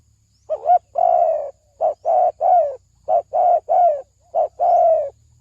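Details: Spotted dove cooing as a trapping lure: a husky phrase of short coos and longer falling croons repeated several times, with a faint low hum underneath.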